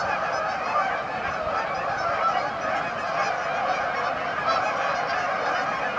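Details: Canada geese crowded at a staging area, Amber Trails Lake, Winnipeg, keep up a constant layered honking, many voices blending into an even, unbroken din.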